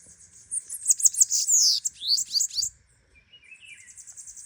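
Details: Bananaquit singing a lot: a hurried burst of very high, thin, buzzy notes and quick descending slurs lasting about two seconds, followed by faint softer chips and a brief lower twitter.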